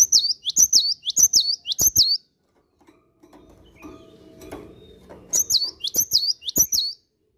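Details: Morning song of a cinereous tit in full voice: two bursts of rapid, high, slurred whistled notes, each burst about eight notes over two seconds, separated by a pause filled with low indistinct background rumble and clatter.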